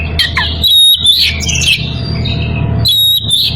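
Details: Calling out to a rival, an Oriental magpie-robin in breeding condition gives bright sliding whistles and squeaky notes in two bursts separated by a pause, with a steady low background hum throughout.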